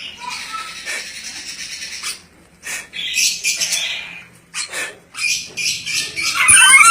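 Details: Ornate lorikeet, a smart parrot endemic to Sulawesi, letting out rough, noisy screeches and chatter in uneven bursts, the calls growing louder and shriller toward the end.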